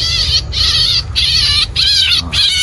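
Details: Red-whiskered bulbul during bird trapping at Sầm Sơn on a cold day, apparently a live decoy calling to its own kind: four harsh, nasal, half-second squawks in quick succession, the last dipping, over a low rumble.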